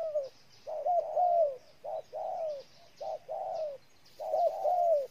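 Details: In Ninh Thuận, Vietnam, a spotted dove delivers a run of low mellow coos: short introductory notes leading into longer, gently wavering and falling tones. Four phrases come in a little over five seconds over faint background.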